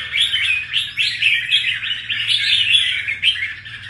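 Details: Newly moulted wild-caught red-whiskered bulbul in a cage sings a lively string of quick slurred whistles, phrases about half a second apart, bright and loud throughout.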